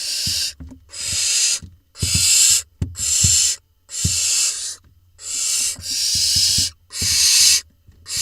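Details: Barn owl nestlings filmed in a nest box in Israel on 20 June 2021 as the smallest swallows a vole: a steady series of harsh hisses, roughly one a second, each half a second long, with clicks and shuffling between.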